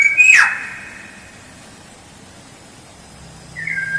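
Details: Black-naped oriole lure recording: a loud whistle opening with a harsh rasp and dropping in pitch, then a long quiet gap before another whistled note starts.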